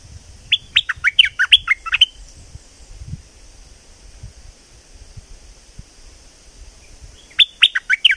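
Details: Streak-eared bulbul from southern Thailand in full song: a rapid string of bright, downslurred chirps, a quiet gap of several seconds with faint rustling, then another energetic chirping burst.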